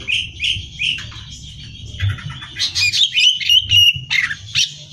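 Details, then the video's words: Greater green leafbird singing continuously, meant as competition training: a few repeated downslurred whistles, then a fast jumble of chirps and ringing notes with loud peaks, over a low steady hum. "Cucak Hijau Gacor Hiper Ampuh Buat Bahan Lomba"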